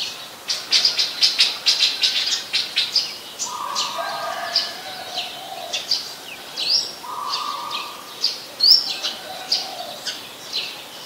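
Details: Brown-throated sunbird recorded in Ubon Ratchathani, Thailand, on 13 January 2021 with a Nikon P1000: sharp, high chips repeated in quick bursts, with steady lower tonal notes from other birds in the background.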